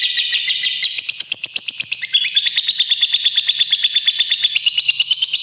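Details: A fighter lovebird's extended ngekek trill, meant to set other lovebirds singing: dense, high, rattling chatter in quick regular pulses, sliding a little lower partway through and carrying on evenly.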